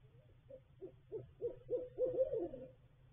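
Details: Nesting female barred owl in a nest box with two eggs, March 2021, vocalising at the nest: a run of mid-pitched hoots that grow louder and closer together, building to a drawn-out wavering final hoot, with a low hum underneath.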